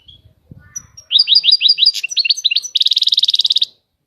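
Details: A European goldfinch gives a short batbata phrase: a few thin whistled notes, then a quick series of rising liquid chirps and a steady buzzy rattle lasting almost a second. Soft low knocks come before it.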